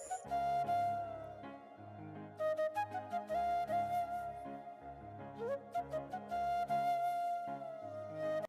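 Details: A flute melody over soft instrumental backing, with no animal sounds.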